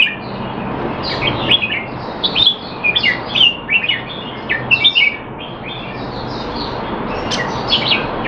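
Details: Male Red-whiskered bulbul kept in a cage in Singapore, in training on 25 December 2020 while not in top form: clustered chirpy whistled notes, bright and warbling, in a busy run of phrases before trailing off into faint notes over low hum.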